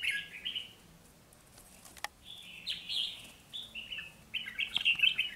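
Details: Two red-whiskered bulbul decoy birds used for trapping in Vietnam sing bright, chirpy warbled phrases in several bursts, ending in a loud rapid flurry, with a sharp click near the middle.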